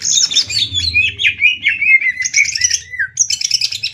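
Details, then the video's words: Contest-singing greater green leafbird, Banyuwangi versus Kalimantan: a rapid string of falling slurred whistles over scratchy high chatter, ending in a buzzy burst. "Cucak Ijo Adu Tembak ngetrek!!! Banyuwangi vs kalimantan"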